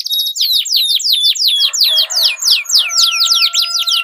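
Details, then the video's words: Canaries dueling in long rolling song, played to prompt competition birds to sing: regular downslurred whistled notes, about three per second, with a faint steady lower hum appearing midway. "Duel Burung Kenari Suara Merdu Ngerol Panjang"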